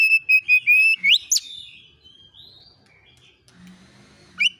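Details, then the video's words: Oriental magpie-robin (kacer) lure song, 'nembak isian' style: a short burst of repeated whistled notes ending in a rising sweep, then near silence with a faint low hum and a final sharp note. "KACER AUTO NYAUT EMOSI KONSLET masteran burung kacer nembak isian"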